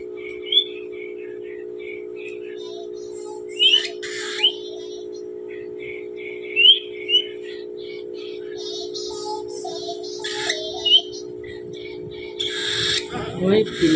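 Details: Pet cockatiels (Nymphicus hollandicus) about to be fed give short chirps and harsh, rising squawks over a steady low electrical hum.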